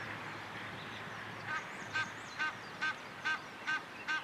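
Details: Egyptian goose calling by the Moselle in Rhineland-Palatinate, Germany: a string of seven short, hoarse, evenly spaced honking notes, about two per second, following a stretch of quiet background noise.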